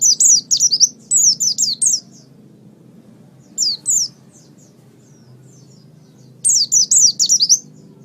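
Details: Tutor song of an Oriental white-eye for songbird training: rapid runs of four or five high, thin, downslurred notes, then a brief pair, then another quick run, over a low background hum.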